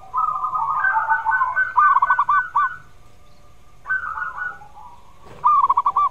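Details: Zebra dove in full song, used to coax reluctant birds into singing: mellow cooing phrases ending in quick staccato bursts of rounded notes, three bouts separated by short pauses.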